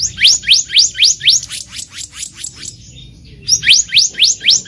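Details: Black-naped monarch in the wild, recorded for trapping lures: repeated rapid upslurred whistles, around four per second, a brief gap, then the same rising notes again.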